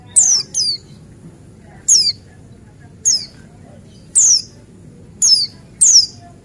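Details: Lure recording of a male Buxtoni white-eye: sharp, very high notes, each dropping quickly in pitch, given singly or in pairs roughly once a second, against faint low rumble.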